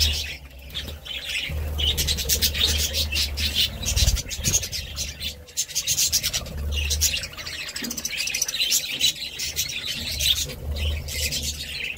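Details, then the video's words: Continuous budgie chatter, with rapid scratchy chirps and warbling notes packed densely together over an intermittent low hum. "Budgie Sounds"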